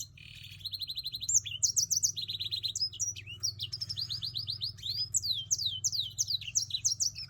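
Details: Black-throated Timbrado canary mule singing, rapid high rattling trills alternating with sweeping rising and falling whistled notes in varied phrases over a steady low hum.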